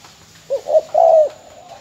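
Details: Sold Bến Tre spotted dove, a mồi mỏ công decoy, gives one clear coo: two brief rising notes followed by a long steady hoot, then near silence.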